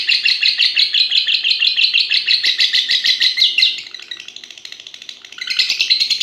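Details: Contest-bred lovebird, a six-and-a-half-month-old fighter, pours out loud rhythmic twittering that fades to a softer, faster murmur for about a second and a half before returning strongly.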